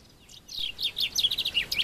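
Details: A common chaffinch from Morocco sings a fast, bright run of high notes that slip downward in pitch and end in a quick flourish.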